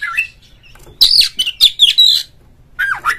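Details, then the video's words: Short outburst of oriental magpie-robin 'ngeplong' song used to prompt other magpie-robins to sing: a soft whistled note, then a loud harsh, buzzy cluster of high notes, and a final swooping whistle. "suara panggilan Kacer NGEPLONG nge-play Ngobra GACOR bikin semua JENIS BURUNG KACER ikut GACOR"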